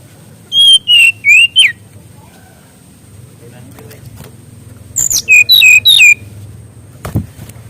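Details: Mangrove whistler song used to teach young wild-caught birds: a phrase of four whistles, level then slurred, a pause of several seconds, then a sharp note and three falling whistles, with a brief thump near the end.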